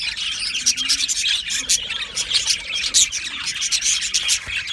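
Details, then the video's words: Budgerigars, a colony described as happy, in an aviary: dense, continuous high chattering and chirping from many birds, with quick overlapping tweets and a faint rubbing undertone. "Happy Budgie birds chirping sounds"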